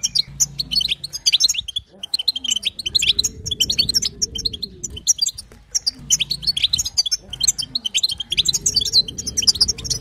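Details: Batbata calls of a female European goldfinch, intended to stir a male into song: bright, rapid twittering chirps in two main bursts, over soft low rising-and-falling hum-like tones in the background.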